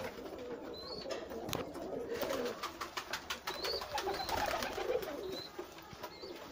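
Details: Many pigeons kept together in a pigeon house, a flock calling at once: overlapping low soft cooing murmurs with occasional higher squeaky notes and wing-flutter noise throughout.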